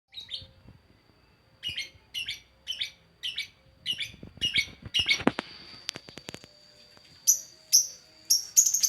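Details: Lovebird, described as lovestruck, giving rapid bursts of harsh buzzy chirps repeated about every half second, then a clattering patch of noise, followed by sharper high chirps at the end.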